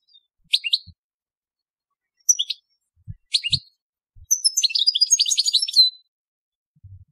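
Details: Goldfinch (European) singing telqam: a few separate sharp chirps spaced apart, then a fast jumbled outburst of high twitters and buzzy trills, with faint low thumps in the background.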